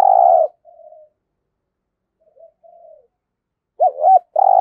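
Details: Decoy spotted dove for luring wild doves, voice style giọng thổ: a long, loud, husky coo opens, faint soft notes follow, then a quick double coo and another strong drawn-out coo end the phrase.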